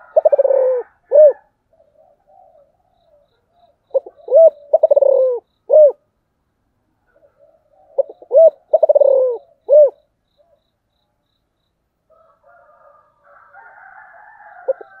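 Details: Spotted dove calling in the 'giọng thổ' voice style: three low, mellow cooing phrases, each a quick stutter of short notes then a long hollow coo and a final rounded note, spaced about four seconds apart over silence.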